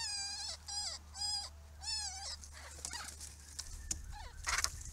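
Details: Three drawn-out, nasal, wavering mews, each rising then falling, come from Grey-crowned babblers at a pond built for them, followed by scattered squeaks and clicks over a low background hum.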